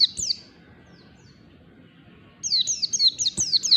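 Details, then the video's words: Morning 'ngalas' song of a white-eye, used as a lure for birds slow to sing: a few high falling notes, then nearly two seconds of quiet, then a rapid series of bright descending whistles. "PLECI NGALAS DI PAGI HARI"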